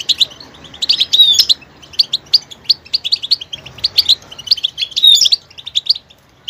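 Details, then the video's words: Goldfinch singing, switching between different sounds: quick liquid chirps and twitters in clustered phrases, with a few sharp whistled notes and rhythmic repeated tweets in a quiet setting. "motivational ringtones that will take you on a journey with goldfinch"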